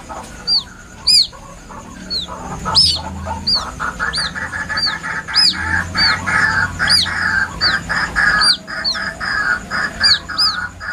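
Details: White-breasted waterhen chick, its plaintive calling recorded as a lure: a long series of high, sharp down-curving peeps at irregular intervals of about a second, over a busy rattling chatter and faint low rumble.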